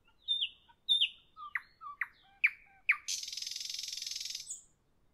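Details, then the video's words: A nightingale sings in the evening, giving a series of sharp, descending whistled notes with lower grace notes. It then bursts into a long, fast, even, buzzing trill lasting about a second and a half before falling silent. "Evening nightingale, nightingale song, nightingale"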